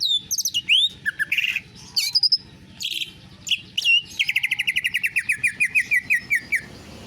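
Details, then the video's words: Greater green leafbird in canary-imitating song, opening with varied sharp whistles, upslurs and buzzy notes, then a long rapid trill of even notes that slowly falls in pitch over about two and a half seconds. "Cucak ijo rasa kenari"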